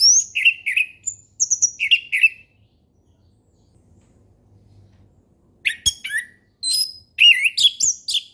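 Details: Relaxed ngeplong song of an orange-headed thrush, a lure for young birds: paired slurred whistles and high thin notes, a silent stretch, then a lively run of sharp chirps and quick whistles.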